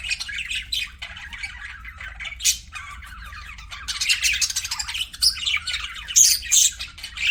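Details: Several budgerigars chattering, scratchy warbles and shrill squeaks building in intensity, with loud piercing notes clustered after six seconds and a faint low hum beneath.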